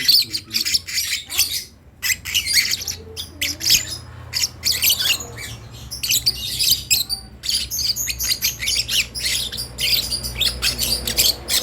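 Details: Lovebird nestling trying out its voice with a long series of rasping, hissy squawks, delivered in fast uneven pulses with brief gaps, against a soft continuous low hum.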